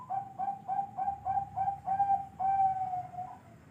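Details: Zebra dove of the Bangkok type: a series of six short, soft, mid-pitched cooing notes at an even pace, then two longer drawn-out coos, with faint background noise.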